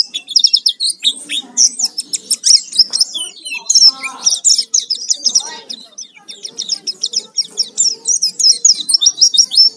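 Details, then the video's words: Oriental white-eye lure song meant to set other birds singing, rich in fill-in phrases: a continuous torrent of high, scratchy twitters and quick chirps, barely pausing, with a soft low rumble beneath. "Pancingan suara pleci gacor full isian"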